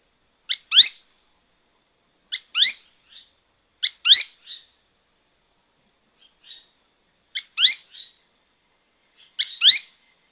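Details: Repeated call of Azara's spinetail at Alto San Miguel, a quick clipped note then a louder buzzy descending one, sometimes followed by a faint extra note, given about five times at irregular intervals against a quiet background.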